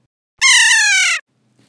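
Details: A kea gives its trill alarm call, one harsh, rich, wavering trill under a second that slides a little lower toward the end, then silence. The call warns of danger or follows disturbance and is also heard during fights.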